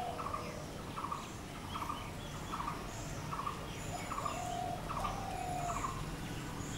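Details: Steady series of hollow, rolling notes from a blue-throated barbet (bosonto bouri), about 76 per minute, all at the same mid pitch. A thin whistle from another bird rises briefly between notes over a low ambient hum.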